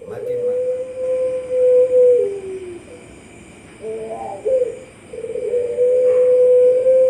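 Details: Contest-winning Puter Pelung dove, Sragen, Indonesia, online song competition in October 2021, giving long steady low coos, a brief warbling break in the middle, then another sustained even coo, with faint background noise.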